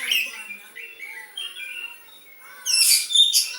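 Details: Caged white-rumped shama with a song copying the sooty-headed bulbul: soft gliding whistles in the opening seconds, then a loud, harsh, broad burst of high chatter near the end.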